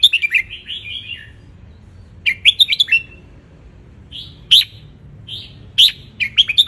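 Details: Red-whiskered bulbul caught wild in Ratchaburi, Thailand, in the sun, singing as tutor for young birds: repeated cheerful warbled phrases of quick rising-falling notes, with single loud whistles between bursts.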